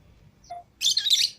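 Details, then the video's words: Lovebirds, green Fischer's and lutino pairs freed from the cage with others: a short thin tone, then a dense loud burst of harsh, scratchy chirping. "Love Birds Singing And Chirping Sounds"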